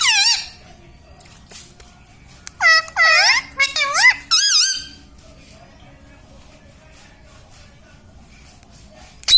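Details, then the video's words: Pet parrot (tota, mitthu) that mimics words such as sita ram and mummy papa, producing a burst of rapid warbling, wavering harmonic calls in the middle, then a brief squawk at the end in a quiet room. "Parrot talking mummypapa 🥰parrot talking sitaram 🙏parrottalkingmithu"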